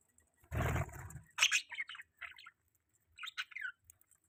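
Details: Pet budgie utters a few separate short chirps and squeaky rising notes after a loud rustling burst, then a brief pair of scratchy twitters.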